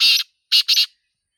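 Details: Sindhi teetar, or black francolin, calling in its natural environment, giving three harsh, buzzy notes: one longer rasp, a pause, then two quick grating notes run close together.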